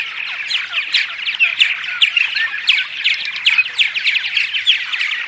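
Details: Purple martins vocalizing in the morning, sound meant to attract martins: quick liquid chirps and throaty gurgles from several birds, steady and overlapping.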